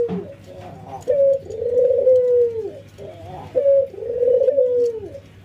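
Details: Training routine for ringneck doves, a white albino versus a local bird, nodding and laughing: two low cooing phrases, each a clipped opening note followed by a long, wavering tone that dips as it ends.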